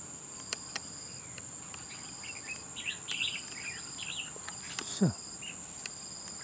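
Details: Red-whiskered bulbul at a fighting trap, giving a run of short, warbled, chattering notes over about three seconds. A steady high insect whine and a pulsing electronic tone run throughout, with a sharp thump near the end.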